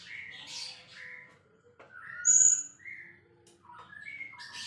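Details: White-rumped shama, a champion singer, giving softer scattered whistles and buzzy notes with one bright high note in the middle and quick rising phrases at the end.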